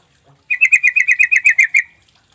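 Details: Sooty-headed bulbul calling, used as a lure so that quiet, silent birds respond: a rapid, evenly spaced run of about eleven sharp chattering notes lasting just over a second, then silence.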